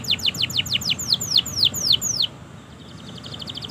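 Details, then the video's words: Canary training song for birds that have stopped singing and for young birds: a quick run of falling whistled sweeps repeated steadily for two seconds, then a faint, fast buzzy trill in the background. "Masteran suara Burung Kenari Gacor Panjang Auto Nyaut Kenari Macet dan Paud"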